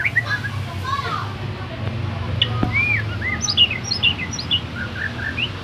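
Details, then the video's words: Tame white-rumped shama from Banyumas, Central Java, bred in captivity and kept through two moults. It gives short scattered whistles and chirps, some rising and some falling, over a steady low hum and background noise. "Murai Batu Gacor"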